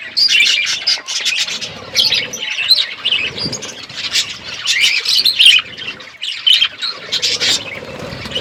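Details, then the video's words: Parrot chirping while eating food on February 25, 2024: bright, high tweets and chirps in lively clusters, with short pauses between bursts. "Beautiful Parrot eating food birds chirping sounds"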